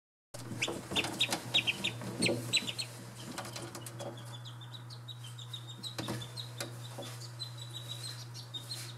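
Australian shelduck ducklings give thin, high peeps in quick, uneven bursts, several at once, over a steady low hum.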